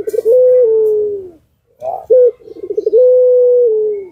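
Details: Lure-bird puter pelung dove: a quick stutter, then a long low coo that drops at the end. After a pause comes a clipped note, a rolling burble, and another extended level coo.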